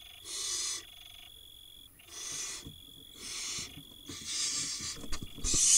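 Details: Nestling barn owls at a nest box in Israel, 2022, hiss for food while one tiny chick swallows a mouse. Long raspy wheezes alternate with quiet gaps, and soft rustles and clicks build toward the end.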